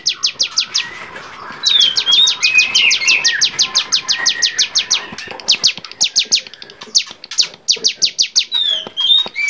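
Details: Bar-winged prinia (cigun), recorded to train songbirds, singing energetic varied song: bright, high, rapidly repeated downstrokes in long trains, mixed with brief whistled slurs and breaks between bursts.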